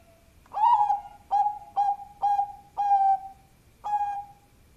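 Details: Zebra dove of a Bangkok strain calling as a lure: six clear mellow coos with a slightly falling tail, spaced about half a second apart, over quiet low background noise.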